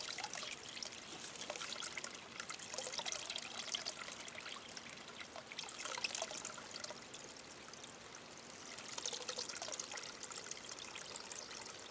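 Steady trickling and splashing water fills the recording, with no animal voice standing out.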